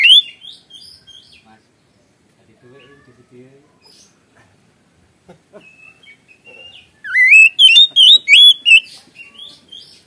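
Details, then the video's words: Oriental magpie-robin singing gacor ngeplong lure song, mostly quiet and scratchy at first, then a run of five or six loud, high, zigzag whistled notes near the end. "Kacer Gacor Ngeplong Full Isian Suara pedas"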